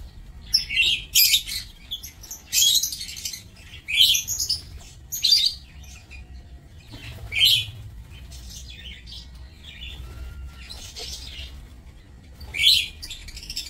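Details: Lovebirds in an aviary on 27 March 2024 calling in repeated shrill, scratchy chirps, bursts coming every one to two seconds with quieter gaps, faint hum beneath.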